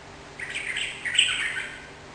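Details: Lively Sooty-headed bulbul song meant to prompt a caged bird's reply: a quick, rolling phrase of bubbly, chattering notes lasting just over a second.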